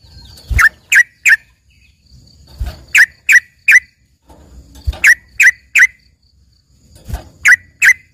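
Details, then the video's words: Yellow-vented bulbul (trucukan) song, used as filler material for training green leafbirds, given as short sharp chirps in groups of two or three about every two seconds, with dull low thumps between phrases. "dengerin suara trucukan isian ini serasa bagai punya burung cucak ijo gacor"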